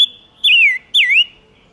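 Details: Silver-eared mesia song played as a lure for wild birds: two strong whistled notes, each starting high and sliding down with a slight wobble, separated by a short pause.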